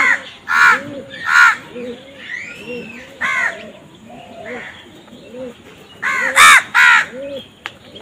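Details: Crows squabbling over food give harsh, grating caws in irregular bursts, several of them close together near the end. Soft, low pigeon coos run underneath throughout.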